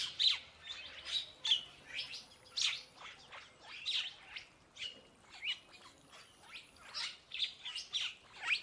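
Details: A purple starling (purple glossy starling) sings a busy, chattering stream of high squeaks, short whistles and clicks, with bursts coming every second or so and no pause.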